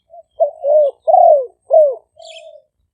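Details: Caged decoy spotted doves, Malay strain and the lively 'phat phon' singing style, in Khok Lam, Chaturaphak Phiman, Roi Et, Thailand. Deep hollow coos: a short note, then three drawn-out, slightly falling coos and a soft trailing note. A faint chirp sounds near the end.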